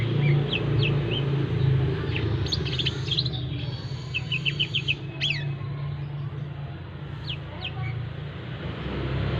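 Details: Brown-throated sunbird kept for training in a busy roadside spot with people passing, to accustom it to crowds; sharp, high chirps in scattered bursts over a constant low traffic rumble.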